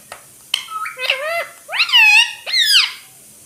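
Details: Pet green ringneck parakeet talking indoors in a small room, imitating words such as "mummy" and "papa"; squeaky, high-pitched voice in short phrases with sliding, bending tones, the last two phrases loudest, little background noise.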